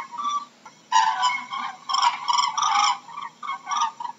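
A crane gives loud, rolling, trumpeting calls in several bursts over four seconds, rich and buzzy with a brief pause between phrases.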